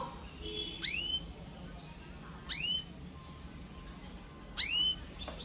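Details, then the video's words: Red mosaic agate canary, presented as powerful song: three loud, sharp chirps sweeping steeply downward with bright overtones, about two seconds apart, separated by quiet room hiss. "CANARIO CANTANDO - Powerful song of Red Mosaic Agate Canary"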